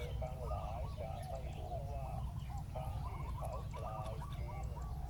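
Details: Decoy spotted dove on the ground luring a wild one, with dense overlapping coo phrases from more than one bird, each rolling and slightly descending, over steady low rumble.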